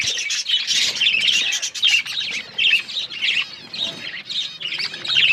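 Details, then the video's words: Budgerigars eating corn and chirping; close, loud bursts of rapid warbled twitters, each lasting under a second, repeated with short gaps between. "Australian parrots eating corn birds chirping sounds"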